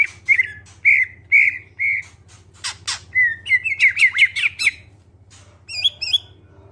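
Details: Greater green leafbird, a clear-voiced song used as a lure to get other birds singing: bright whistled notes near one pitch, then a quick run of rising and falling slurred phrases and harsh scratchy bursts, over a steady low hum.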